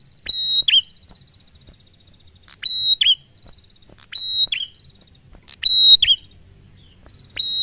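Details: Slow, relaxed 'ngalun' prinia song, used to prompt other birds to sing: four phrases, each a click, a sustained high pure whistle and a dropping flourish, spaced about one and a half seconds apart over a quiet background.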